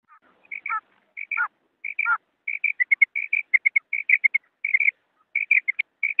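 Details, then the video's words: Female quail, 'maadi batair', calling: short clear whistled notes near the same pitch, given in quick pairs and runs, a few with downward rasping tails early on, continuing steadily through the clip with no other sounds. "female quail call maadi batair ki awaz"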